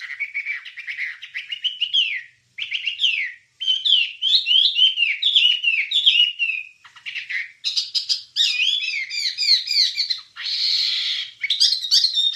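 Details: ['Wambie warbling for songbird training, with a fast, continuous chatter of sweeping notes and trills that climbs into higher, denser bursts, including a harsh buzzy note near the end.']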